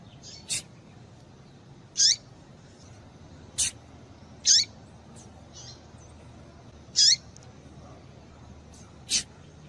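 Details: Female papa-capim call used to stimulate males to sing, heard as loud, high, short chips falling in pitch, spaced irregularly about every one to two and a half seconds, with softer clicks between them.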